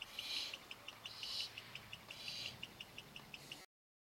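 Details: Baby barn owls awaiting dinner produce three breathy hissing begging bursts amid a steady run of quick ticking sounds before the recording cuts off.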